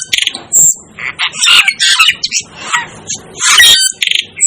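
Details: Asian glossy starling giving a jumble of harsh, buzzy squawks and shrill squeaks, with bursts of fast ticking notes at the start and end.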